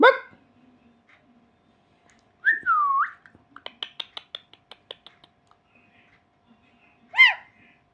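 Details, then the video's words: A frightened pet eclectus parrot gives a loud swooping whistled call, then a rapid series of clicking, chattering notes and a final harsh squawk. "तोता डरने के बाद कैसे बक बोलता है"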